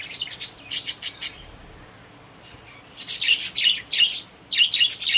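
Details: Pet budgies kept together in a cage, happy and social: bursts of scratchy, chirpy chatter in quick clusters, pausing about a second midway before resuming in busier overlapping chirps.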